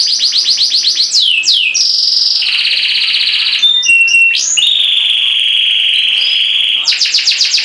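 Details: Canary in full, long song: loud rapid trills of repeated high notes, sweeping slides and long sustained rolling tours held for several seconds, all very high-pitched and continuous.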